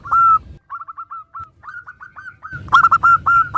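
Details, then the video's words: Zebra dove of local type singing to trigger replies: one long note, then a string of short, evenly spaced notes, ending in louder clustered bursts. "Perkutut lokal gacor suara bermacam - macam Nutut kompilasi ini ampuh untuk Pancingan Cepat NYAUT"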